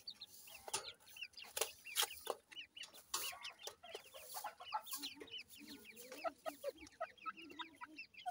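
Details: Black francolin chicks fighting inside a house: dense, overlapping high peeping chirps, rapid and irregular, with short upward and downward slurs, mixed with sharp scuffling and tapping knocks throughout.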